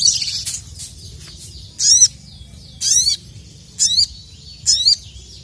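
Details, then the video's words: Kept crested jay (sogon) calling to rivals, giving a series of loud, metallic, harmonic downsweeping calls about one second apart. Fainter high chatter and low hum are heard beneath. "KICAU SOGON GACOR EMOSI MEMANGGIL LAWAN"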